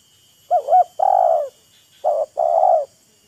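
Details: Calling contest between a wild spotted dove and a decoy: both show off, taunt and lure, before the wild bird disappears. Two soft, low phrases, each a quick wavering note followed by a longer even coo.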